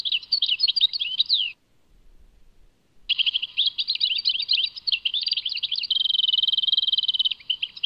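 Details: A European goldfinch sings in the Tadmait style: a short twittering phrase, a pause, then a long run of jumbled chirps ending in a sustained buzzy trill on one pitch.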